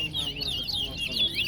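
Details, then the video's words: Chestnut-bellied seed finch (towa towa) in a Guyana song competition at Soesdyke delivers fast, swooping whistled phrases in an unbroken warble, with faint low murmur behind. "TOWA TOWA BIRD COMPETITION AT SOESDYKE GUYANA"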